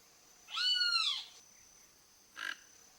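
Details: A wild toco toucan (Ramphastos toco) visiting a backyard in search of food gives one drawn-out, nasal, rising-then-falling croak, then a brief harsh rasp; a steady high-pitched whine runs throughout.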